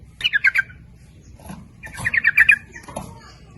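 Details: Lure song of sooty-headed bulbul to attract males and females, in rapid 'nguplik ropel' style: two bubbly chattering phrases of quick warbled notes about two seconds apart, with faint background sounds.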